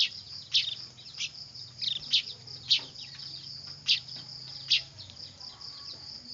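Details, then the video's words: Weaver chicks making a racket, a lure recording: spaced harsh chirps roughly every second, set against a persistent high insect-like drone and low background hum. "Suara anakan burung manyar ribut"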